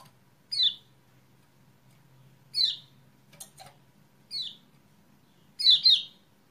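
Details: Lure recording for a kecial kuning gone quiet: clipped high chirps spaced about two seconds apart, a faint click near the middle, and a closing double chirp.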